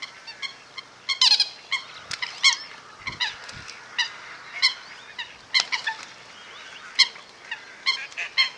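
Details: Eurasian coots sparring at WWT Slimbridge, recorded from a hide around midday in mid April on a misty day with a handheld camcorder; short, sharp, ringing notes in irregular bursts, some doubled, with a few low dull thumps midway.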